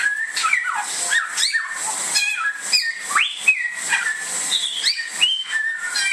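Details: Samyong, or Bare-throated whistler, from Indonesia, sings a varied run of clear whistles: falling slurs, a bold rising sweep near the middle and level held tones, over a constant thin high hiss.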